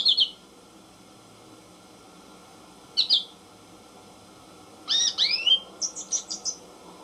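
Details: American goldfinch singing short high twittering notes: two brief bursts, then a faster run of upslurred whistles and rapid chips near the end, against quiet hiss.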